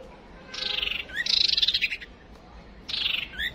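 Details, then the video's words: Female white-rumped shama calls used as a fighting lure to quickly rouse males: three harsh, buzzy, downward-sliding bursts, each followed by a short rising note, over faint background hiss. "Dựng Chim Huýt Cô Trống Lên Mồi Cấp Tốc"Chim Huýt Cô Mái Mồi Đấu"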